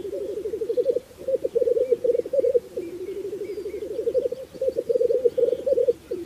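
Black grouse giving a continuous low, dove-like bubbling that rises and falls in rapid pulses, in phrases of about a second; faint thin whistles of other birds above.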